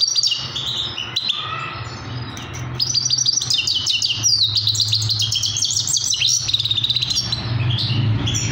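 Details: Young trained Himalayan goldfinch in captivity delivering a rapid, continuous twittering song of high chirps, trills and buzzy phrases that grows denser after a few seconds, over a constant low droning hum.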